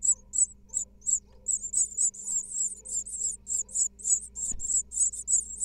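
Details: Hungry great tit nestlings in a nest box in Israel, second brood of the season, while the female brings food and tidies the nest. Dense high-pitched begging calls grow busier and overlap, with one brief thump partway through.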